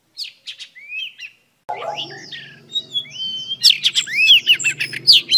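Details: Female oriental magpie-robin song to excite a male: a few spaced whistled notes, then a low hum and background noise while rising and falling whistles and sharp notes build up, becoming dense and loud near the end.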